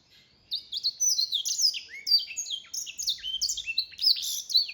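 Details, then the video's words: A mule sings black-throated canary song: bright, high whistles that slide downward in quick succession, roughly two per second with irregular spacing, starting after a brief silence, with no other sounds. "Mule singing black throated canary"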